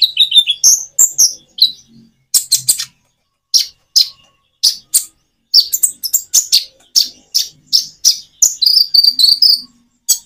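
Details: Common iora song recorded with natural pauses, used to prompt other caged birds to sing; bright chirped and whistled notes in quick bursts, some buzzy, separated by short silent gaps, with a faint insect-like hum beneath.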